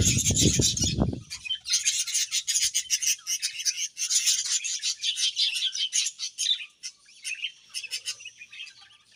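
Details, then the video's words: Budgies feeding and chirping: a low thump opens the recording, then a steady stream of high twittering and rapid squeaky notes carries on, fading toward the end. "Budgies Chirping Sounds While Eating"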